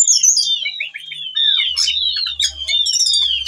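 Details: Breeding whistling thrush calling a female in persistent song, a lure for training birds: bright descending whistles, then a run of quick slurred notes and sharp chips, with a low hum in the background.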